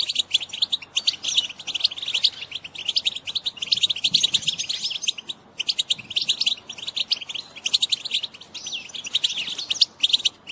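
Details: European goldfinch female twittering batbata used to stimulate males to sing and mate: continuous, busy high chirps and buzzy trills in long runs, with brief gaps, over a soft background murmur.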